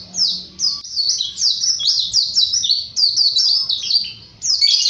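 A white-eye sings a fast, continuous run of high, thin twittering notes with sweeping slurs, barely pausing across the whole stretch.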